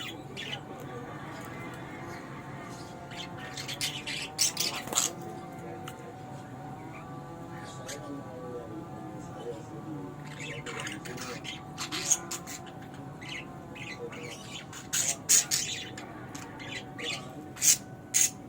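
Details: Young budgerigars (baby parakeets) give short, scratchy high chirps in scattered bursts over a steady humming background.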